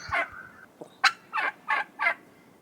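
A turkey gobbles: a harsh opening note, then four rough, gurgling bursts that tumble out about three to a second. There are no other sounds.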